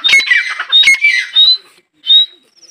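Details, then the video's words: Female grey francolin giving harsh, squawky calls with thin whistled tones, a few bursts followed by short pauses and a final brief whistled note. "female teetar voice | teetar ki awaaz"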